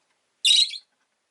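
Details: A single loud, harsh, grating screech lasting under half a second from one of two pet rosy-faced lovebirds huddled together at an entrance.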